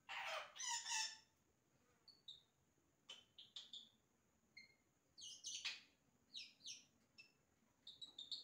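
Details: Yellow-rumped cacique song of imitated sounds, opening with rough noisy blasts, then scattered short whistles, sharp clicks and bright falling notes in an irregular sequence.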